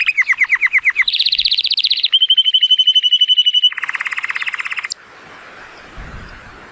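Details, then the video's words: Male Timbrado Español canary, born 2018 and rated 83 points, singing powerfully on a sunny day: fast metallic rolls of repeated notes shifting between low and high pitched tours, ending in a faint background hiss after five seconds. "The most PLEASANT Canary training song"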